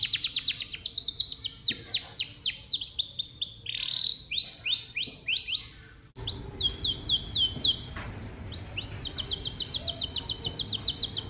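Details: Canary song used to draw out young canaries: long varied phrases of rapid descending whistles and trills, a short pause, then more sweeping notes and a dense high trill at the end.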